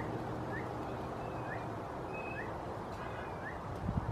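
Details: Male Phainopepla, a silky flycatcher, calling near Los Alamos Road (92563), growing more insistent when hearing no reply: short soft rising whistled notes, about one per second, with thin faint high notes over a steady low rumble.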